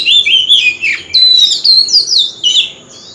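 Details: Oriental magpie-robin singing a wild-style lure song used for singing contests: loud, varied whistled phrases with sliding, warbling notes, delivered in rapid bursts separated by brief pauses; a faint steady high tone runs underneath.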